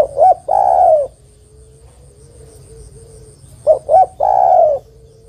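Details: Spotted dove female calling the male with two full phrases, each two brief coos followed by a long mellow coo, about three seconds apart. A faint, steady, low whistle-like tone fills the gap between them.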